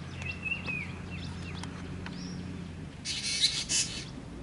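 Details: Juvenile Black drongo demanding food from its parents, filmed close up: thin whistled and slurred notes from the birds first, then a loud harsh, grating, hissy burst lasting almost a second near the end.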